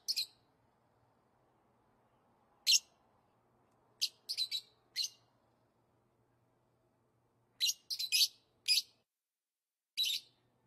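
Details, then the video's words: Lovebird calling with short, shrill, high chirps in scattered bursts, sometimes two or three in quick succession, separated by silent gaps of a second or more. "Love birds sounds | love birds sounds that will make your bird sing"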